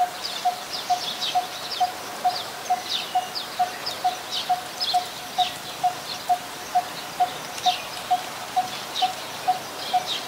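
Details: Coppersmith barbet in Ubon Ratchathani, Thailand, 2 January 2021, a very common resident: a long, steady series of hollow tuk notes at about two per second, with scattered high twittering from other small birds behind.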